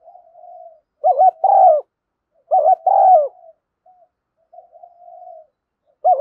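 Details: Spotted dove call used as a decoy to stir trapping birds into calling, in thúc gù and gáy gọi styles; two loud phrases, each a quick wavering coo then a long falling coo, with soft low cooing between and another phrase starting at the end.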